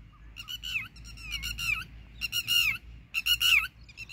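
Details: Red-wattled lapwing (titihari) calling while fighting dogs and swooping at the person filming. Loud, shrill, harmonic-rich calls come in quick bursts of several notes with falling ends, roughly once a second, over a low background hum.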